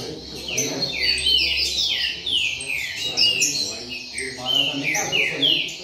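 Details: A circle of double-collared seedeaters singing and calling together, delivering repeated bright downward-sweeping whistles and quick chirps that overlap, with faint human talk underneath.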